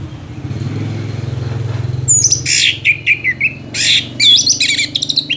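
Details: Orange-headed thrush in lively, sustained song, from Indonesia: after two seconds of low engine rumble, bursts of sharp whistled notes, rapid chattering trills and short upslurred phrases follow in quick, uneven succession.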